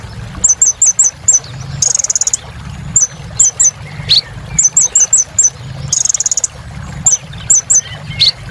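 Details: Singing sunbird in top form, meant to restart song in birds gone quiet: runs of quick high chirps in groups of four or five, brief buzzy trills, and occasional sharp rising notes.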